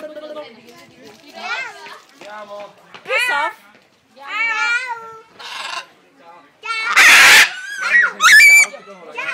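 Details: Blue-and-yellow macaw at Walter Zoo in Gossau, Switzerland, producing a run of warbling, speech-like phrases with wavering pitch, separated by short pauses, and ending in a loud, harsh burst near the end.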